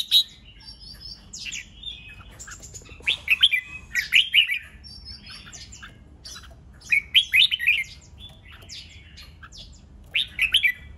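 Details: Red-whiskered bulbul song meant to trigger competitive fighting song: scattered chirps and short warbled bursts, about three clustered phrases with quiet spaces between.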